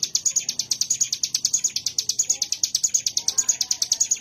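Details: Mountain prinia, locally ciblek gunung, delivering a fast run of sharp high ticking notes, roughly two per second, steady and insistent across the whole stretch, over a quiet background.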